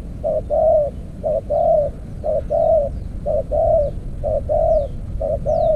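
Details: Spotted dove calling from a clay decoy trap: a steady series of low coos, each a short note followed by a drawn-out purring note, roughly one per second, over a noisy rumble and distant chirps.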